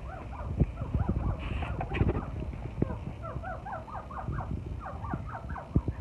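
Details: Chukar partridge chicks on a chukar farm give quick bursts of short, bending chirps in overlapping runs, with dull thumps and handling noise underneath.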